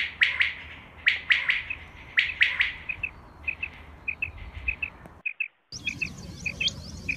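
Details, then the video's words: A Common quail recording meant as a hunting call: liquid three-note 'wet-my-lips' phrase repeated about once a second, then softer paired notes against a brief hiss. "Common Quail sound for hunting | batair ki awaz shikar k leay | بٹیر کی آواز شکار کےلیے"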